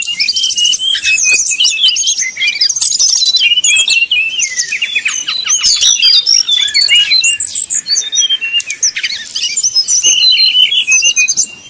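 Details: Brown-chested jungle flycatcher in flute-like 'nyuling' style, used to provoke rivals into singing: long, lively run of high whistled notes, rattles and quick chirps repeated with only tiny breaks.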